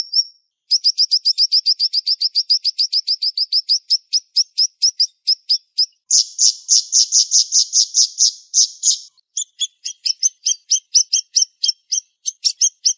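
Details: Dense, fast 'sharp shot' song of a siri-siri bird: a long volley of clipped high chips, then a burst of buzzy rattled notes, then more rapid scattered high chips.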